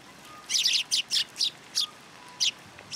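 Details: Sparrows gather for food on a feeding platform at a Tenmangu shrine, February 16, 2023. Several loud, clustered high chirps come in quick bursts after a short quiet start.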